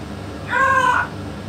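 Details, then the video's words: Single brief, steady nasal note lasting about half a second from a pet yellow-naped amazon, rich in harmonics, against a quiet indoor background hum. "ببغاء الامزون اليلوناب الملك يتكلم"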